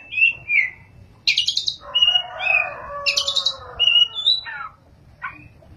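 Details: Active kacer, or Oriental magpie-robin, singing ngerol and nembak: clear warbled whistles, buzzy bursts and a rich lower chattering phrase, followed by repeated short whistled notes.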